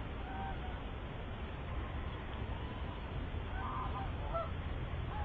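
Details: Eurasian coots giving a few short, nasal honking calls, mostly late in the clip, over a steady low rumble of wind or water noise; filmed 10 September 2023.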